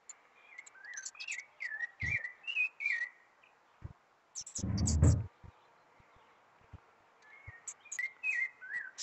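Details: Rufous-bellied Thrush singing as spring arrives, on the first Sunday of the season: repeated clear whistled phrases that rise and fall, separated by short pauses. Thin high chirps sound in between, and a loud dull thump comes midway.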